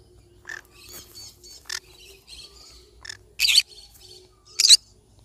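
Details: Yellow-sided conure parrot making soft, scattered chirps and chatter, then two loud, harsh screeches about a second apart near the end.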